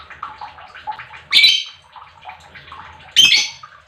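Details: Lovebird chirping, used as a lure to excite other lovebirds into singing: two loud, harsh, buzzy chirps about two seconds apart, with soft, scratchy chatter between them.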